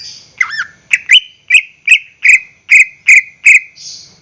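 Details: A greater green leafbird sings as a lure to make caged birds sing. A quick twisting phrase leads into a steady series of loud, clipped whistled notes about every third of a second, ending in a soft buzz.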